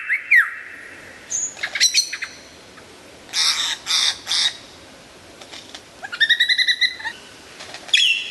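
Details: Loud lyrebird song: falling whistles, high clicks, broad harsh rasps, and a stacked harmonic phrase, ending in a bright sweeping note.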